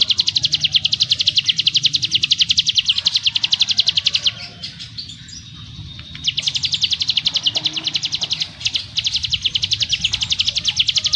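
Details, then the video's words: Ciblek gunung (prinia) in 'ngebrem' song style, fired in tight bursts: a fast, dry, high buzzing chatter of rapidly repeated notes, broken by a brief pause near the middle before resuming just as densely. "Burung CIGUN ngebrem nembak rapat - ciblek gunung master suara TEGAS"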